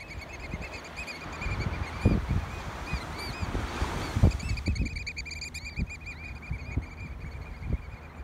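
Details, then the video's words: American oystercatchers in courtship display on the beach at South Cape May Meadows, New Jersey, 24 March 2019, give sharp whistled piping notes in fast repeated series that quicken toward the end, over steady wind rumble and low thumps. "American Oystercatcher Courtship Display"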